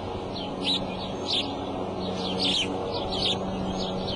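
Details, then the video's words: At the Decorah eagle nest on April 5 around 2:30 pm, a bald eagle utters quick bursts of high, squealing, downslurred notes, several louder peaks among softer ones, over a steady low hum. "mom up calls and out; dad in"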